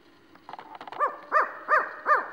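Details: In Zion National Park, a male Mexican spotted owl calls and a nearby female responds: four short, nasal barking notes, each rising then falling, about three a second, after a few faint clicks.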